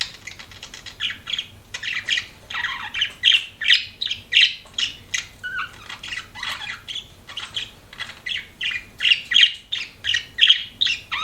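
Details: Pet budgerigars chirping in a steady run of short scratchy chirps and squawks, roughly one burst per second, with a faint low hum underneath.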